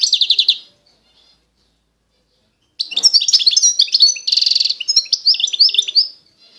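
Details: Constantine goldfinch from eastern Algeria: a short run of rapid buzzy repeated notes, a pause, then a long, varied phrase of tinkling twitters including a fast rattling trill.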